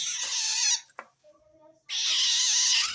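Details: Long-tailed shrike's strange call aimed at wild shrikes, indicating it feels threatened by another shrike: two long, loud, noisy rasping screeches separated by a brief quiet gap with faint notes.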